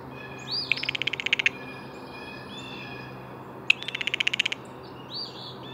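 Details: Blue jay call heard twice, each a rattling run of quick repeated pulses lasting under a second, with soft whistles of other birds in the background.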